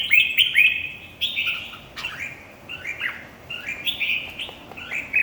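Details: Red-whiskered bulbul at a singing competition: quick run of clear whistled notes and slurs, densely repeated, with brief clicks between phrases.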